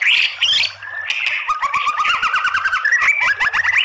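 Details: Female white-rumped shama calling to males, a voice used as a lure to provoke other shamas into singing: loud, busy run of varied whistles and chattering notes, with a rapid series of rising slurred notes in the middle.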